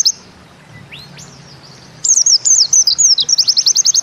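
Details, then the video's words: Pleci (white-eye), Bustomi variety, in 'nembak ziperrr' song: two near-silent seconds with faint soft slurs, then loud looping high notes that tighten into a quick, regular zipper-like chatter. "Bustomi NEmbak Ziperrr Mudah DI Tiru"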